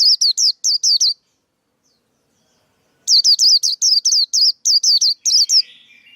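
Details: Song of a male white-eye, a lure sound for trapping and for coaching young birds: quick series of high, twisting chirps, a short burst, a silent gap, then a longer run ending in a softer buzz.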